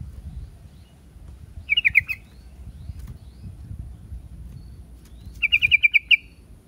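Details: Yellow-vented bulbul with a brief burst of a few warbled notes, then a longer rattling run of about seven liquid notes; noticeable low rumbling background noise.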